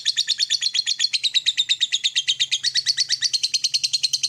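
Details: Lovebird in a morning training recording meant to stimulate other lovebirds to trill and chatter: a long, fast, buzzy chattering trill of sharp high notes, about nine pulses a second, steady and unbroken throughout.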